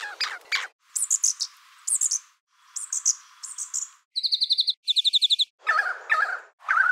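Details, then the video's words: A Brown Thornbill in botanic gardens, near a stuffed owl placed in bushes, mimics other species' hawk alarm calls to deceive nest predators such as pied currawongs. It gives varied high chirps, buzzy rapid trills and lower warbled phrases in half-second bursts. "I eventually realised that it was a Brown Thornbill that was mimicking the calls of a variety of other species."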